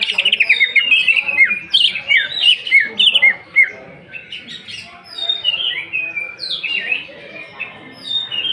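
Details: Greater green leafbird shooting out rough 'isian' fill phrases in 'nembak' style, a recording for provoking song: loud, rapid strings of falling, slurred whistles in quick bursts, easing to softer scattered notes, then another whistled flurry.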